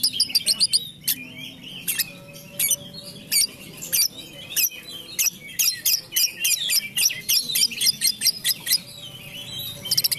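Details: Female lovebird, a Tambak Peluru bird from Comal, Pemalang, kept by a breeder, sings a long fast chattering string of high squeaky, buzzy notes and sharp clicks with hardly a pause.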